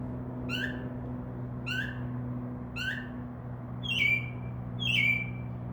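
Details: Mimicking Northern mockingbird singing at night from a tree near a window: three falling whistled notes about a second apart, then two higher, harsher notes with a level tail, all over a low steady hum.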